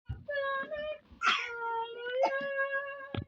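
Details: Parrot singing indoors: long, steady, richly harmonic sustained tones with slight wavering, broken by a brief noisy burst, then another drawn-out note sliding slightly upward, ending in a short harsh sound.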